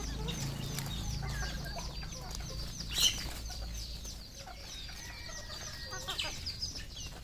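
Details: Farmed red junglefowl in Cambodia: a busy chorus of thin chirps and clucks over a constant low rumble, with a brief sharp burst near the middle.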